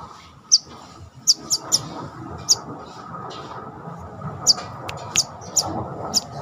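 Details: During confidence training, a caged brown-throated sunbird gives crisp, shrill, high chips, some in quick doubles, about ten in six seconds, with a constant broad background hiss and hum.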